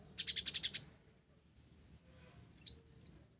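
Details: Gacor blorok kolibri ninja (olive-backed sunbird) with isian gereja fill. A fast burst of seven high chattering notes, a pause with faint low rumble, then two bright looping whistled chirps.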